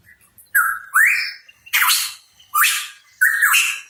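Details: Hooded pitohui singing energetically: five loud, harsh notes, each opening with a short whistled slur that rises before a raspy burst, spaced about one second apart, with no other sounds.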